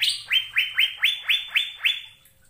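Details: Asian fairy-bluebird singing in a recording for training caged birds. About eight clear whistles rise and level off, spaced roughly a quarter second apart, before trailing into quiet.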